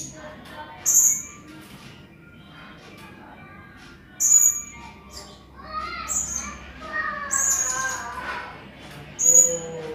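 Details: Training recording of a Blue-crowned hanging parrot for tutoring contest birds: sharp, very high shrill chips spaced a few seconds apart, with softer lower chatter near the end.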